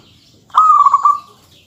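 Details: A single phrase from a local zebra dove in strong, dense song meant to tease opponents: a sharp onset, then a trilled string of quick notes flowing into a smooth, fading coo.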